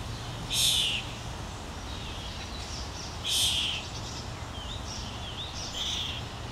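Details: A common starling fledgling begs on a lawn in Helsinki, Finland, in June as its parent feeds it: three loud rasping, hissy calls about two and a half seconds apart, with softer chirps between and low background hum.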